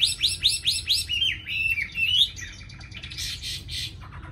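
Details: Tame Chinese hwamei, a caged songbird, singing loud, clear whistles: a rapid run of repeated rising slurred notes, then a long sliding whistle and a few buzzier phrases, indoors.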